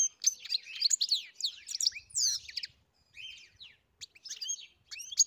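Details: European goldfinch on a farm singing bursts of bright twitters, slurred whistles and buzzy notes, separated by short gaps, with a faint low rumble.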